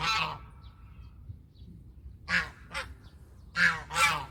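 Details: Domestic goose honking in bursts: one blaring honk at the start, then after a pause a pair of short honks, and two more loud nasal honks close together near the end, with faint low rumble between.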